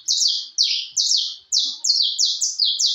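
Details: Caged canary of the porte type singing strongly, a fibra-style song: loud buzzy rolled phrases descending from high to mid pitch, about eight bursts in three seconds with short gaps, faint low thumps in the background.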